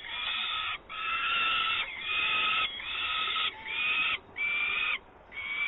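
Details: Adult peregrine falcon at its nest in Włocławek on 24 May 2022, bringing live prey; a run of long, harsh, wailing calls, each about a second, repeated almost without pause over steady background hiss.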